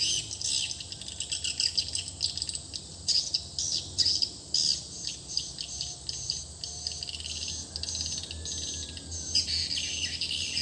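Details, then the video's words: Swiftlet lure call from a newly replaced calling sound in a swiftlet house: continuous high, buzzy chattering twitters in irregular bursts, layered and overlapping, with a low background hum. "Selesai penggantian suara panggila baru rumah burung walet (RBW)"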